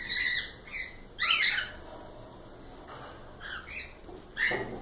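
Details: Cockatiels call in short harsh chirps and one louder rasping squawk, with quiet gaps between the calls.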